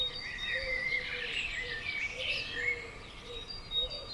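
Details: Common swifts, 'bangers' flying at and around a house on June 5th 2011: a continuous wash of thin, high screaming trills that rise and fall over one another, with a faint low wavering tone underneath.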